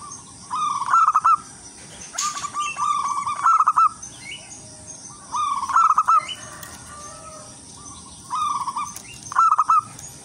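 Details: Wild local zebra dove, singing lively as a lure for others of its kind: clusters of rapid trilled coo notes, repeated phrases with pauses, and faint chirps of other birds behind.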